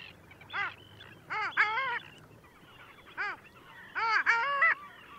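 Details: Long-tailed duck, Liepāja, Latvia, January 2024, calling twice: each time a short nasal arched note followed by a loud, harmonically rich yodelling phrase, with softer high calls from other birds between.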